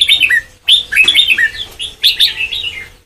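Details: Song of a caged red-whiskered bulbul being trained to the Sông Kon style: rapid chattering warbled phrases in three bursts separated by brief gaps, bright and fluty, with a faint low hum behind.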